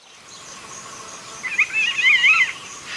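An African Golden Oriole gives a single liquid, fluty warble lasting about a second, rising and falling, over a steady high insect hiss.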